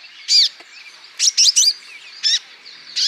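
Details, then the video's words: Male olive-backed sunbird from Natuna, used as a lure to prompt other birds to sing; sparse, high, sharp chirped notes in short bursts, some in quick clusters of three, separated by pauses. "TERAPI KONIN IJOAN GACOR"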